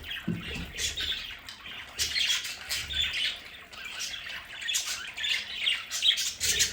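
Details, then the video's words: Home budgerigars in a play area twitter and squawk in overlapping, uneven phrases, set against a steady hissing background. "Sonidos de budgies para Budgies en casa"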